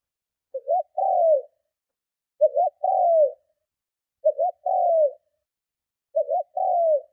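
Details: Spotted dove giving powerful cooing meant to lure and provoke other doves: four evenly spaced phrases about every two seconds, each a quick two-part stutter then a longer descending coo, low and clear.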